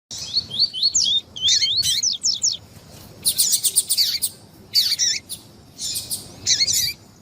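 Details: Double-collared seedeater song mixed with female calls, played to excite a male: quick rising whistled notes around mid-high pitch alternating with dense buzzy bursts of broadband chatter, in phrases separated by short pauses.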